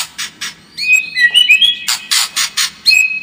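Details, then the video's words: Lure song of a White-rumped shama, meant to make a kept bird more combative: harsh chattering bursts around a string of short rising whistled notes, ending with a clear whistle. "SUARA PANCINGAN MURAI BATU AGAR MENTAL SEMAKIN FIGHTER"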